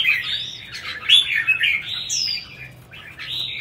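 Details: Red-whiskered bulbul competition singing, a continuous warbled phrase of slurred, rich notes broken by a sharp rising whistle in the middle.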